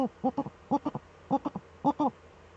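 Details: Both Eurasian eagle-owls in the nest hollow on webcam, 6 March 2013; a fainter series of short paired chattering notes in quick succession against a low hum.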